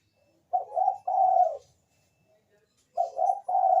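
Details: Zebra dove of the Bangkok variety, lure song to draw replies from other doves: two clear bursts of mellow, slightly wavering coos separated by about a second and a half of silence.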